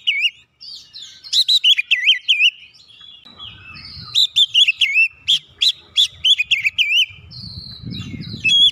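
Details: Oriental magpie-robin song used to rouse other birds to sing: loud swooping whistled notes repeated in quick series, sweet and varied, with some low rumbling background noise between and after the phrases.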